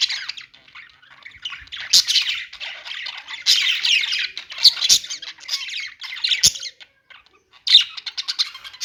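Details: Parakeet chirping in uneven bursts of squeaky, rasping warbles, with short quiet gaps and a few sharp clicks between phrases.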